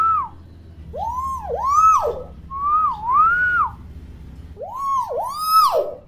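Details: Active, talkative common hill myna used as a tutor for young birds: repeated looping whistled swoops that dip and climb, with short harsh bursts of overtones between them and a wavy mid phrase, over faint low hum.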